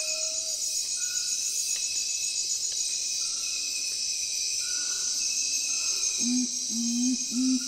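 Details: Nocturnal curassow (urumutum) giving three deep, hollow hoots near the end, each slightly rising, under a loud, steady night insect chorus with a few thin whistles.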